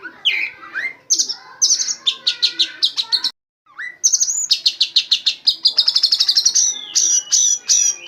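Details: Oriental magpie-robin, caged bird filled with white-rumped shama song material: swooping whistles and short high bursts, a brief gap, then a long accelerating string of high ringing notes.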